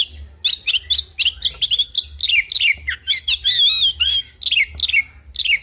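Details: Oriental magpie-robin in full fighting song with varied fill phrases, a dense run of sharp high chirps, quick slurred notes and warbled trills packed almost without pause, some notes rising and falling in fast wavering glides.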